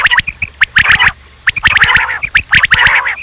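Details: Quail, possibly a rain quail, calling in quick, harsh, rasping bursts of paired metallic notes, about one burst per second, over a faint steady electrical hum.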